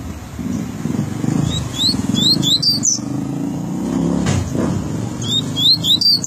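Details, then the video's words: Double-collared seedeater in Rio de Janeiro singing its tui-tui style song: quick bright rising whistled notes in bursts, over loud low traffic rumble from passing vehicles. "Coleiro tui Tui"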